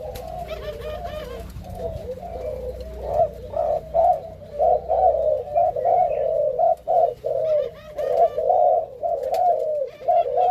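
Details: Malaysian-line spotted doves paired as male and female for breeding in captivity; a long series of husky coos, about one per second, over a low hum and chattering of small birds.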